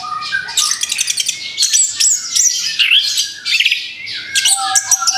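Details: Orange-headed thrush just past its moult, in a recording used to get it singing again: fast, dense chattering and high sharp notes, with short rising whistles and a steady low tone beneath.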